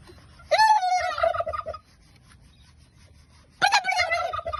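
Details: Turkey answering a person with two harsh, quavering gobbles about three seconds apart. Between them is a quiet low hum.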